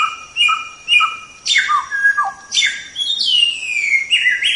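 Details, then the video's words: Training recording of white-rumped shama song: a few paired whistled notes, then loud downward-sweeping whistles and a long rising-and-falling warbled phrase, over a faint steady high-pitched tone. "Masteran Suara Samyong"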